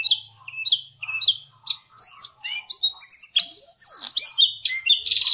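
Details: Varied song of a Javan cochoa for training songbirds: a few spaced chirps at the start, then looping whistles, upslurs and rapid twittering building into a continuous, busy phrase.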